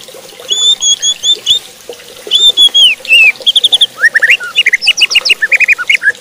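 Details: White-rumped shama singing to provoke rival shamas into more aggressive song: varied, rich phrases of high arched whistles, then a fast series of short, sharp, repeated chirping notes rising in intensity.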